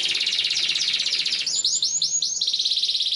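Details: Canary song for training young canaries to sing: a fast rapid trill at high pitch, then a run of five swooping downward notes, then another dense rapid trill.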